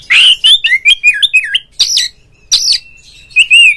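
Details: Caged Oriental magpie-robin song meant to provoke a rival bird into singing with fanned tail; rapid run of wavering whistled notes, then harsh rasping bursts and a final warbled whistle.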